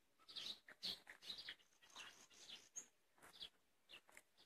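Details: A common nightingale sings in May, a string of bright, scratchy high phrases broken by short pauses.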